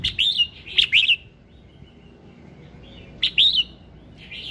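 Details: Red-whiskered bulbul morning song for prompting singing: quick clusters of bright, looping whistled notes, two phrases close together, a pause of about two seconds, then another phrase, against quiet background.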